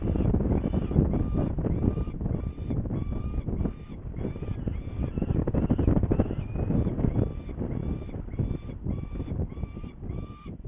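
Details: Saker falcon, Hungary, 21 May 2019 around 11:30, going to get prey; a long, fast string of over twenty ringing, upward-flicking calls, slightly irregular, set against constant low wind and handling rumble.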